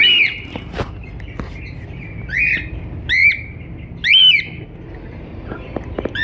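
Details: Singing and chirping cockatiel gives clear whistled notes that sweep upward and drop, about one every second or two, some with a sharp bent tip, over a low steady hum.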